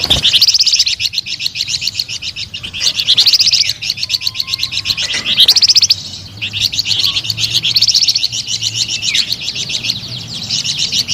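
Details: Flamboyan bird singing, described as melodious and lively: dense, rapid high chattering trills in long bursts, repeated without pause across the clip and broken by brief dips and short sweeping notes.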